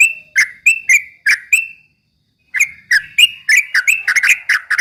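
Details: Straw-headed bulbul voice for provoking rivals: short, bright notes, a pause of nearly a second, then a quicker, denser tumble of ringing, slightly buzzy notes.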